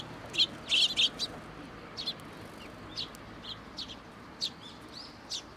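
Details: At a Tenmangu shrine on the morning of 18 October 2022, sparrows come for food; an opening burst of loud, bright chirps, then softer single chirps at irregular intervals.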